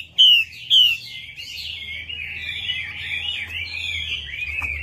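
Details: Chinese hwamei lure song: two loud, sharp whistled notes, then a dense, rambling warble of rapid varied phrases running without pause, with a faint low hum behind.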